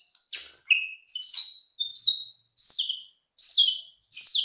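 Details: White-rumped shama song played as a lure to make other shamas sing quickly: high, buzzy whistled phrases repeated about every 0.7 seconds and growing louder, with brief gaps between them.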